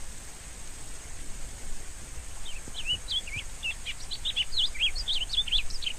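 A rusty-collared seedeater sings a fast, bright run of high chirped and slurred notes, starting after two seconds, over a steady low rumble and a faint high hiss.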